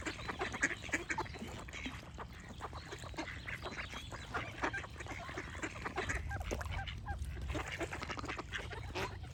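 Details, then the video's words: A continuous din of duck quacks, harsh and clipped, overlapping without pause, with faint birdsong and chirps layered over a low background rumble. "Duck Quack Sound Effect with Birds Chirping for Relaxation"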